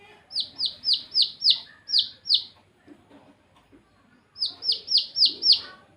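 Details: Rapid series of piercing, descending peeps from baby chicks, about four per second, in two bursts separated by a quiet gap of roughly two seconds.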